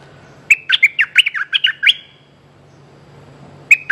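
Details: Streak-eared bulbul calling for a mate, giving a rapid run of about ten sharp, bubbly chattering notes. After a pause, two more notes begin another phrase. A faint low hum sits underneath.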